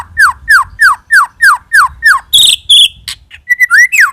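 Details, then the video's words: Seven sharp downslurred whistles from a white-rumped shama, about three per second, then harsh buzzy notes and a final rising-falling whistle; used as a lure sound. "Pikat Suara Burung Murai Batu"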